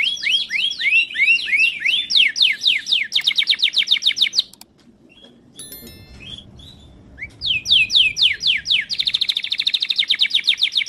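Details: Timbrado canary singing a training song: long bursts of fast repeated sweeping notes and rolling trills, broken by a quiet gap with a few faint chips before the trilling resumes.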